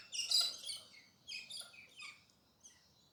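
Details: Pink parrots, galahs, calling at dawn in urban Perth, Western Australia: a loud rasping screech opens, followed by three or four shorter, fading scratchy notes.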